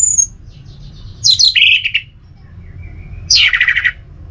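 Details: Orange-headed thrush kept at home in North Bali, singing in the 'teler semi doyong' style: a high note, then a tumbling slurred phrase, a thin level whistle, and a falling buzzy burst.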